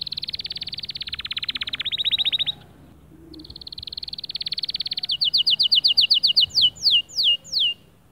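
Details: Male white canary singing to motivate other birds: a long rolling buzzy trill, a short pause, another rattling roll, then a loud series of clipped notes slowing into downward-sweeping whistles.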